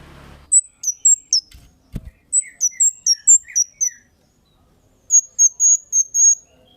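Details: Sharp 'cit' calls of a Kemade bird, used as a lure for other birds: fast series of shrill high chirps, a click-like knock, a few softer lower chirps mixed in, and a closing run of even notes.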